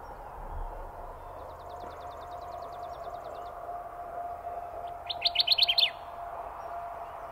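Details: A Kirtland's warbler, a jack pine specialist, sings a loud, emphatic burst of about six quick chippy notes in under a second, after a faint, thin rapid trill, over a steady low background hum.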